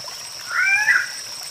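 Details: Guianan cock-of-the-rock giving a single nasal, harmonic squawk of about half a second that rises slightly and then drops, over a steady high-pitched insect drone.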